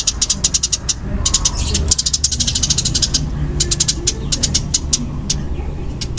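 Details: Fighting-type Eurasian tree sparrow, or burung gereja tarung, chirping fast and densely in high, clipped bursts that thin out toward the end, with a low rumbling background.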